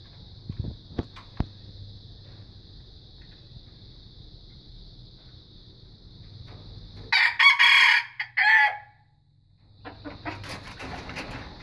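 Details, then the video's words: After a long stretch of shrill insect buzzing with faint ticks, a young red junglefowl practising its crow lets out a hoarse, stuttering crow of about three bursts, then the insects resume. "Lagak Anak Muda Belajar Berkokok"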